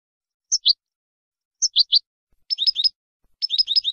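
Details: European goldfinch tutor song for training birds, described as the best song without mistakes: short two-note chirps, then quicker three-note twitters and bright bursts of high tinkling notes, with clean silence between phrases.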